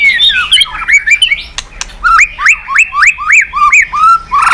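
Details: White-rumped shama singing to stir other birds: a jumble of whistles and clicks, then a run of about six identical hooked whistled notes, each sweeping up then dropping, roughly three per second.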